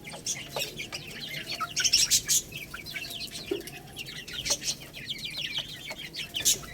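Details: Young Lohmann Brown chicks, a growing little rooster and baby hen, eating rice; high thin peeps, many falling in pitch, come in quick runs, mixed with sharp pecking clicks and scratching.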